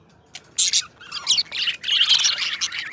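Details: Budgerigars kept as pets start with a couple of sharp squeaky chirps, then launch into a busy, buzzy chattering warble.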